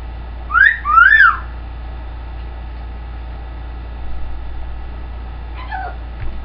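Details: Pet green-winged macaw giving a wolf whistle: a sharp rising whistle, then a longer rise-and-fall whistle a moment later. Faint soft calls follow after a few seconds of quiet, over a low hum.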